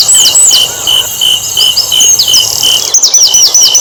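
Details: Asian brown flycatcher singing to stir other birds to sing: scattered high slurred notes, then a quick run of five or six descending chirps, with a continuous insect whine behind.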